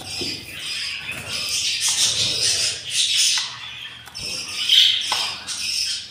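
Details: Hungry yellow budgerigar chicks in a nest on day 7 after four eggs hatched, tended by their parents; harsh, raspy high squawks in a continuous stream with brief pauses, joined by scratchy rustling.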